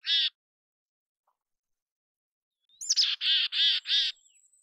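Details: Mountain chickadee in natural habitat: one harsh buzzy note, a pause of over two seconds, then a quick run of four broad, raspy, evenly spaced notes with a faint high thin whistle above them.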